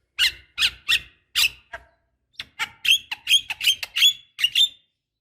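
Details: Javan myna, female calling a male, recorded as a lure: four evenly spaced harsh squawks, a brief gap, then a rapid series of bright, squeaky whistled chirps.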